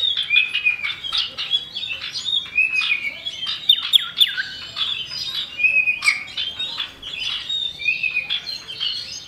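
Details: Common iora male and female, recorded as a lure to make birds sing, with the female calling to the male; short level whistles recur every couple of seconds over dense, scratchy chattering.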